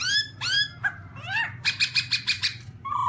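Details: Black-throated laughingthrush (Garrulax chinensis): sweeping rising whistles with bright overtones, followed by a quick rhythmic string of about eight buzzy chattering notes and a final level whistle; low background hum.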